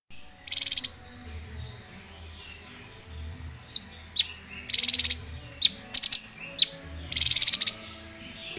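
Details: Cucak cungkok, a bulbul, in a tutor recording used to train cage birds; scattered sharp chirps and short whistled notes alternate with brief dense buzzy bursts, over a faint low hum.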